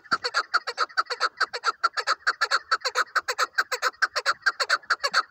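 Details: Chukar partridge kept for hunting gives a fast, steady series of harsh clucking chuck notes, about two per second, ringing and layered, continuing without pause for the whole stretch.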